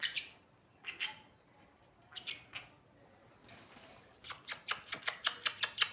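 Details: Captive sun conure making scattered short calls, then breaking into a rapid string of loud, shrill squawks, roughly nine in under two seconds.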